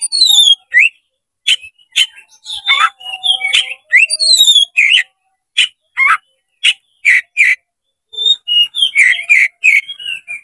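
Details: Oriental magpie-robin (kacer) spreading its tail, used to stir up a rival bird: lively, almost continuous song of varied whistles, descending high slurs and rapid chirps, with a short pause near the end.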